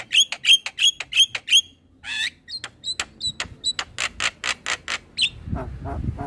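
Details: Javan myna singing as a master bird for young mynas to copy: rapid sharp whistled chips, a burry warble, scattered ticks, then a steady series of loud harsh notes, ending with a low rumble.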